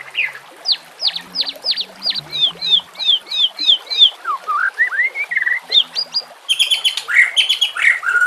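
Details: White-rumped shama singing on a bird-training recording mixed with nature sounds and running water: quick repeated sharp downslurred whistles, then rising slurred notes and a burst of high ringing chips near the end.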